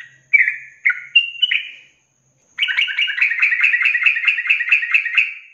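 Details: Yellow-vented bulbul song used as a training recording for songbirds, in the long-trill style: a few short, clear whistled notes, then a pause, then a rapid buzzy trill that runs steadily for about three seconds.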